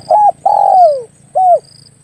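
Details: Spotted dove hunting lure call. A brief coo leads into a long, drawn-out coo that falls steadily in pitch, then ends with one short rounded coo. The background is otherwise quiet.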